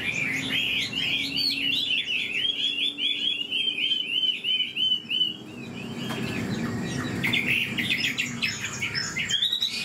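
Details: Old wild-caught Chinese hwamei in a cage, singing a long, rapid run of jerky, tumbling whistled notes, then a pause and a fresh burst of quick high phrases.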